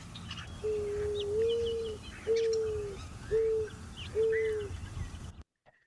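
Mourning Dove giving soft, low, hollow coos: a long rising first note, then three shorter even notes. Chattering starling notes sound faintly behind.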